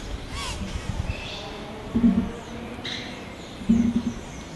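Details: Nesting oropendolas behind a house in Sabanilla, San José, Costa Rica, on April 8, 2017, give a few liquid, gurgling low notes and quick upward-sliding whistles, spaced irregularly over a few seconds, with faint background hum.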